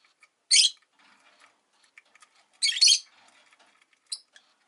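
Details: Rosy-faced lovebird giving shrill, harsh chirps in two loud bursts about two seconds apart, then a short faint note near the end, with soft clicks and light background noise between calls.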